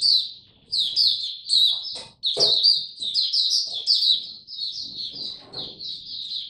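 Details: Oriental white-eye (mata puteh) kept as a caged songbird, singing in display on 26 November 2022: a near-continuous run of quick, high warbled notes with a few soft clicks and knocks beneath.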